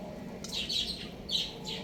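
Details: Young rooster chirping: a few short, bright chirps in two clusters, each note rising then falling, with quiet pauses between and a faint hum in the background.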